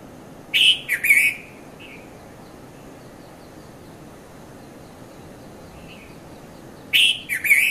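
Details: Early-morning red-vented bulbul (Konda Kurulla) at Mount Lavinia, Sri Lanka, 5:30–5:40 a.m., 2018: a quick pair of loud bright chirps, a faint note, several seconds of quiet hum, then another chirpy pair.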